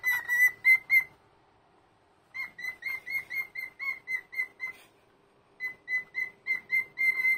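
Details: An aged cockatiel at home on a Sunday morning sings a greeting of rhythmic, clear whistled notes repeated several times a second, in three phrases divided by short quiet gaps.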